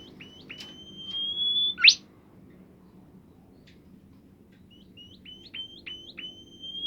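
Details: Bimoli bird singing, used to get other bimoli birds singing; high whistled notes, each with a sharp upward flick, run in a quick series, then a loud rising sweep and a pause before a second run of flicked whistles over a low background hum.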